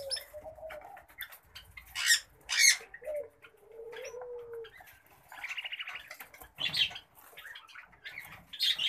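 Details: Pet common babblers give low, drawn-out whistles and a fast buzzy trill, broken by sharp bursts that sound like fluttering wings.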